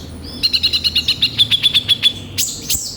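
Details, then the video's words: Sunbird (kolibri ninja) lure song, lively with harsh filler notes: one quick even trill of about a dozen sharp high notes over roughly two seconds, ending in two loud sweeping squeaks. "Pancingan suara burung kolibri ninja gacor full isian kasar"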